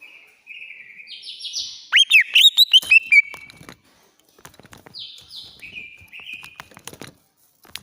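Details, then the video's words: Greater green leafbird from Banyuwangi singing in an agitated, shrill, rapid burst meant to prompt a silent bird to sing: buzzy descending phrases, then a loud run of sharp looping notes, more buzzy slurred phrases after a pause, with faint clicks. "CUCAK IJO Banyuwangi Ngentrok Lengking, Ngamuk, Pancing Si bisu Bunyi"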